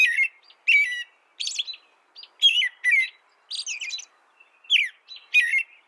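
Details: An American robin delivers a caroling song of separate whistled phrases, rising then falling, spaced about a second apart, with thin high squeaky notes mixed in; background quiet.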